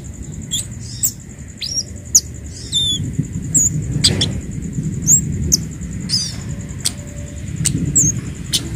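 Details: Orange-headed thrush song played to train captive birds at home: sharp, high whistled notes and short slurred phrases scattered every half second or so, over a low rumbling background.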